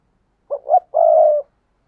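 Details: Decoy spotted dove calling wild doves in: a single phrase of two quick, soft low notes followed by a longer, smooth, slightly falling coo, clean and without background noise.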